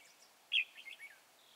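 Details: Red-whiskered bulbul in a trap at Chùa Hương, 24 March 2018, giving one sharp bright whistled note followed by two softer, warbling notes.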